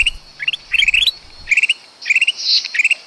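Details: Sooty-headed bulbul lure call, used for trapping small birds: short, bright rising chirps in quick clusters of three to five notes, one cluster after another over three seconds, with a faint high hiss behind.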